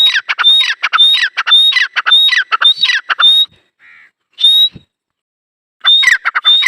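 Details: Dakhni teetar partridge calling outdoors in loud rapid harsh bursts, each with a sharp whistled upper note, about two per second in runs broken by brief silences.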